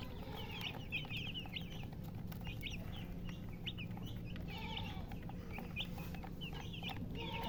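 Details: Several chicks cheeping in bursts of thin, high, falling notes, clustered calls separated by short pauses, with a faint lower clucking and constant low hum.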